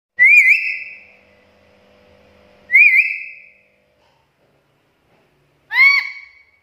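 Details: Chatty black-capped lory on a training and lure recording for lories: two clear high whistles with a wavering start, about three seconds apart, then a harsher harmonic squawk near the end. Quiet background.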